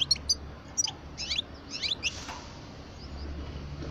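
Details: European goldfinch of the parva type, a 12-year-old bird, giving short high chirps and twittering bursts in quick clusters during the first two seconds, then fading to scattered faint notes over a low steady hum.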